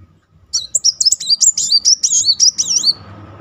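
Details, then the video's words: Kept muncang sunbird in full rolling song, meant as a singing trigger: a quick stream of thin, looping high whistles and chirps for about two seconds over a faint low rumble. "Kolibri Muncang gacor ngeroll || pancingan terapi memancing emosi Muncang macet."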